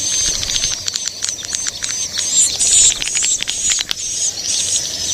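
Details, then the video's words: Young swiftlets: a thin, steady, very high buzz overlaid with irregular dry clicking and rattling. Louder buzzy notes swell midway. "Suara walet ngeri sedap, Walet Remaja"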